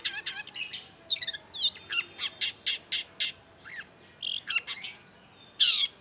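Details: Dense long-tailed shrike song used to stir a silent bird: a rapid mix of harsh chatter, trilled bursts and squeaky whistles, packed tightly and varied.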